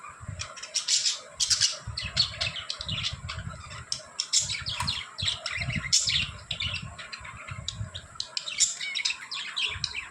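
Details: Pet budgerigars at playtime chatter in quick, scratchy chirps and warbles, with soft low thumps underneath.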